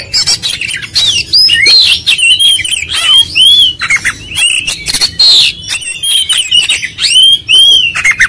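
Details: Oriental magpie-robin in vigorous, full 'ngotot gacor konslet' song: repeated upslurred and downslurred whistles alternating with rough buzzy bursts in a steady, energetic flow.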